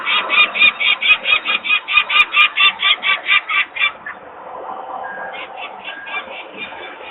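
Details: Peregrine falcon parents calling in alarm at their nest site in Włocławek, Poland, on 23 May 2022, as nearby workers make noise and young stay on the landing. Loud, evenly spaced harsh notes for four seconds, then a softer, more distant series.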